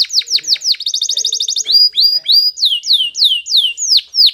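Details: Spanish Timbrado canary singing a training song: a few downward-sweeping notes, a fast metallic trill, then a long series of loud clear whistles sliding downward, repeated roughly every third of a second.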